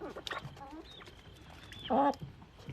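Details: A young male turkey, newly arrived, free-ranging in the rain during the evening routine, begs for treats with a few short, whistly, siren-like squeals, loudest near the end, while a person talks softly.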